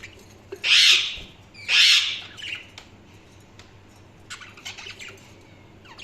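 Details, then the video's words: Budgerigar chirping: two loud, harsh, squawky bursts in quick succession, then a string of fainter, scratchy chirps and short ticks. "Budgies Sounds| Budgies Chirping sound"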